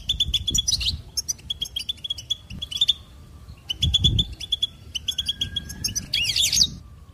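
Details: Cheerful goldfinch trilling: strings of clipped high chirps repeated in steady rhythm, with a thin sustained whistle sliding underneath and a harsh twittering burst near six seconds; occasional low thumps.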